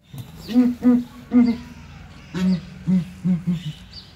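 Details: Southern ground hornbills in a small zoo cage at ARTIS boom deeply: three low, hollow notes, then a slightly lower answering series of four, like two birds calling in turn.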